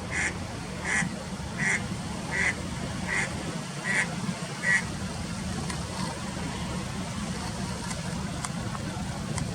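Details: Lone eastern spot-billed duck in late March 2021, calling unusually, perhaps seeking a partner after failing to pair; six short, nasal, evenly spaced calls about every 0.7 seconds, then silence, over a steady low rumble.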